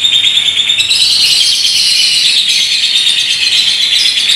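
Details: Unbroken ngekek from a paskun lovebird, unique in style: piercing, tightly packed high chatter forms one long, even trill with a thin whistled edge, never pausing.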